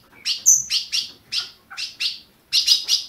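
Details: Ultramarine grosbeak kept by a Brazilian breeder gives about nine sharp, high chip notes, irregularly spaced with brief gaps, meant to excite a caged bird of its kind.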